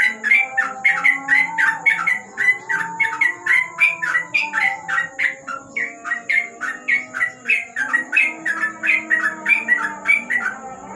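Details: Nighttime song of a yellow-vented bulbul under a lamp, delivered in the rapid 'ropel' style: a long, unbroken chain of sharp, liquid whistled notes, several per second for eleven seconds, with a faint steady high hiss behind.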